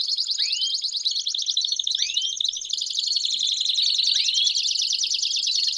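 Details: Canary song used for stimulating singing and teaching young birds, with a steady high trilled warble broken by three upward-sweeping whistled slurs.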